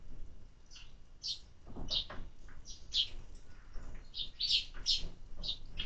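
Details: Short, sharp chirps from sparrows fed in summer, loosely spaced and growing more crowded toward the end, over a low background murmur.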